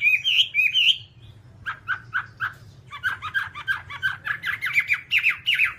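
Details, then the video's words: Whambie song used as a one-hour nonstop masteran for tutoring birds: bright whistled phrases near the start, then a rhythmic run of short chirping notes climbing gradually in pitch, about four per second, over a faint steady low hum. "Masteran Whambie nonstop 1 jam"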